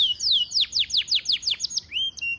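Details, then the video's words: Canary (Serinus canaria), a small songbird kept for its melodious voice, sings a fast run of about eight high, sweeping notes, each sliding steeply downward, then ends on a rising note and a short steady whistle. "Walaupun bertubuh kecil, burung kenari mempunyai suara yang sangat merdu."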